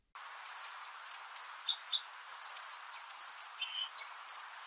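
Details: White-throated Dipper singing in winter, early in its breeding season, beside a clear mountain stream: a slow, subdued, uneven string of high twittering, squeezed and grating notes over a steady rushing hiss of water.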